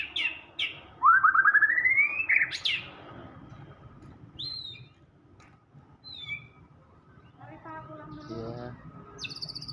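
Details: White-rumped shama (murai batu) singing vigorously in the gacor full isian style: a loud rising buzzy trill sweeping upward, sharp high whistled notes, then quieter scattered chirps and a short stuttering burst near the end.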